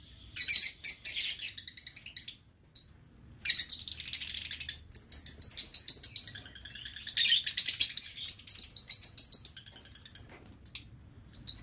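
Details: Aviary lovebirds, recorded 11 November 2022, keep up almost unbroken, rapid, high-pitched chattering and twittering, with only a few short gaps.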